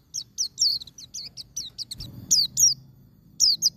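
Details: Fast ngalas-style song of a white-eye, meant to stimulate caged birds: a rapid chattering string of high, wavering, down-slurred notes, a brief gap, then further sharp falling whistles in small bursts over low background rumble.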